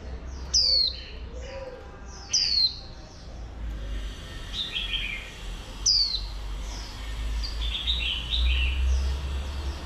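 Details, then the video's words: Three sharp, high descending whistles from a female oriental white-eye meant to rouse males, followed by brief clustered twittering, with a low rumbling noise underneath. "Khuyên Mái Kích Trống Bổi Líu Cực Nhạy"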